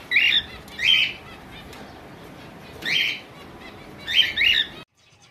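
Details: Java sparrow calls: loud, bright, slightly buzzy chirps in short clusters, two near the start, one around three seconds and a quick pair near the end, separated by quiet gaps.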